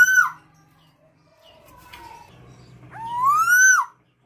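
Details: Two loud calls from a tame female black-naped oriole: a short falling note at the start, then after a pause a long rising whistled call with harmonics that ends suddenly. Soft indoor murmur lies between them.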